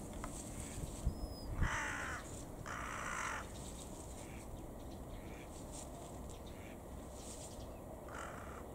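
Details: A carrion crow calling while playing with garbage gives two harsh, hoarse caws about a second apart; a Bohemian waxwing calls "hii" in the background; then only steady low outdoor rumble.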